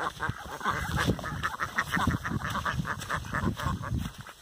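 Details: Several Rouen ducks kept at a breeder's yard, overlapping hoarse quacks repeated rapidly, several per second, with low-pitched noise underneath.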